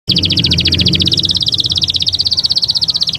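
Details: Canary singing in Taghreed style, used to train young birds: a fast, even high trill of rapid repeated notes, about four per second pulses blurring into a continuous rolling tour, over low background hum.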